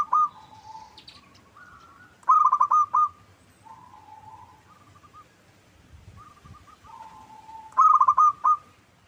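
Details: Zebra dove lure song (local perkutut) to make another bird answer: two loud, fast-pulsed coo bursts about five seconds apart, with quieter single drawn coos and short phrases between them.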